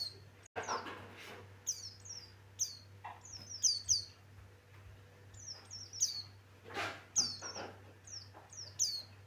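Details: High, quick, slurred chirping from a pleci Buxtoni white-eye, notes repeated in irregular bursts of two or three, mixed with occasional loud rustling thumps and a steady low-pitched background hum.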